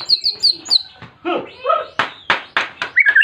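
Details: Insistent white-rumped shama song meant to challenge a rival and set other shamas singing: quick high slurred chirps, then mellow warbled phrases followed by loud harsh rasping strokes and a final bright twittering flourish.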